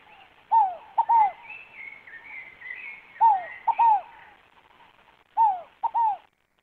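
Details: Scaled dove song repeated three times, roughly every two and a half seconds. Each phrase is a falling coo followed by a clipped note and a longer downslurred note, with a busy higher-pitched bird chattering in the background.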